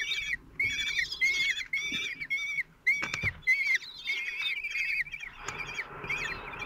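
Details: Kestrel family at a nest in Théding, France, on June 26, 2023, as the single father brings food to four 16-day-old young: series of short whining, nasal calls about a second long, repeated with brief pauses and a rustle.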